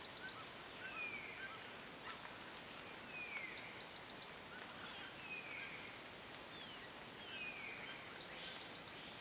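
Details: White-lored tyrannulet calling: a quick series of about five high, thin, rising notes, given twice, over a constant high insect drone, with softer descending whistles from other birds between.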